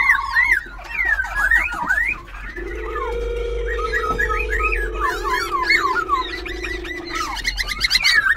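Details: Semi-tamed wild-caught Black-throated Laughingthrush, caged in Bình Chánh, Ho Chi Minh City, performing its dancing song with shifting voice. Quick looping whistled phrases rising and falling, a long steady low tone underneath mid-clip, and a low background hum.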